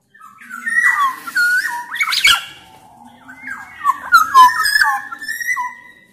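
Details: Black-naped oriole of Sumbawa origin singing to prompt other orioles: rich fluty whistles that dip and rise, with raspy harmonic notes, delivered in two loose phrase groups and one sharp click midway.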